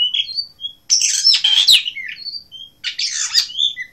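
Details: Song of a blue rock thrush from Asia: whistled notes lead into a long, harsh, warbling burst, then more thin whistles and a second scratchy twittering phrase.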